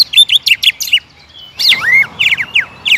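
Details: Energetic greater green leafbird singing, quick chattering notes, then a short pause followed by a long rising-falling slurred whistle and more rapid notes, an aggressive bout meant to trigger nonstop singing in a caged bird.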